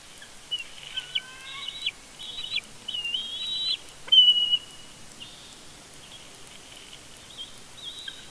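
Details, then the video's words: Bald eagles during a family conflict at a Big Bear nest, captured by a live nest camera: short, high, thin whistled chirps and a few squeaky slurred notes, then quieter with faint background hiss. "Family conflict Big Bear Bald Eagle"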